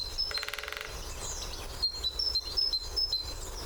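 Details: On its favourite drumming post, a great spotted woodpecker opens with a quick half-second drum roll of evenly spaced strikes, followed by thin high whistled bird notes; picked up with a parabolic mic.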